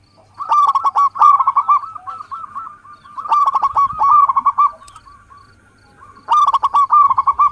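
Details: Zebra dove of a local strain whose song serves as bait to get other doves singing: repeated loud bursts of rapid, staccato, bubbly cooing, each running into trailing hooked notes, roughly every three seconds.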